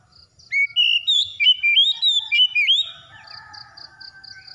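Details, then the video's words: Whistled song of an Oriental magpie-robin, used to coax a silent bird into singing: two seconds of bright, fast-changing whistled notes and slurs, followed by a faint low hum and rhythmic high pulses. "TERAPI KACER MACET BUNYI CEPAT ON GACOR"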